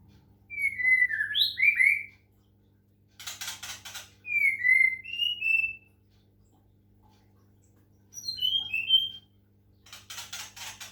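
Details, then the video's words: Medan white-rumped shama singing during water-sound therapy: clear, slurred whistled phrases that sweep down and up, alternating with short bursts of harsh, buzzy rattling notes and brief silences. "murai batu medan, terapi suara air lansung gacor"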